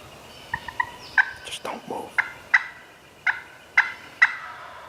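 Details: Wild turkeys gobbling as they walk toward decoys during a spring youth turkey hunt in New York; a run of sharp, rattling gobbles repeats about every half second, with faint hushed human voices nearby.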